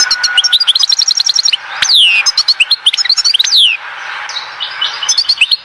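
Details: European goldfinch from Oued Zhour, Skikda: a rapid, tinkling series of rising chips leads into varied twittering, with sweeping downward slurs and quick liquid notes, continuing almost without pause.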